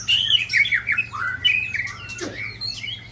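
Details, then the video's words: Sabang white-rumped shama assailed by Ujong Pancu and Tangse birds in Aceh, Indonesia. A quick run of clear downslurred whistles, then a scratchy buzz and higher thin notes trailing off. "Murai Balak Sabang di serang Murai Ujong Pancu dan Murai Tangse"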